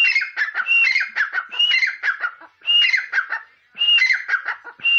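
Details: An uncaged grey francolin gives loud, harsh, ringing phrases of shrill squeaky notes in quick bursts about once a second with brief pauses.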